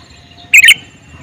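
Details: One short, loud double chirp from a calling male sooty-headed bulbul, bright and sharp, against quiet background noise.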